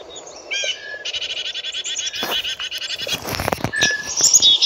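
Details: Black-capped chickadee calling with a steady train of buzzy, rasping notes lasting about two seconds, preceded by a couple of brief chips, with scattered clicks and rustling noise toward the end.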